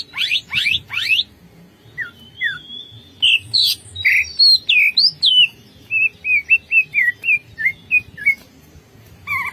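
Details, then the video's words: Greater green leafbird singing ngentrok, full of fill-ins: steep sweeping notes, long thin whistles, then a lively series of short twisting whistled phrases repeated about twice a second. "CUCAK IJO GACOR NGENTROK full isian"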